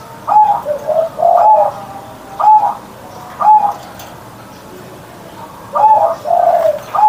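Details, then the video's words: Perkutut (zebra dove) kept at home, cooing loudly in the morning. Short mellow coos come in uneven clusters with low burbling notes between them, separated by brief silences. "Perkutut Manggung Gacor Suara Besar"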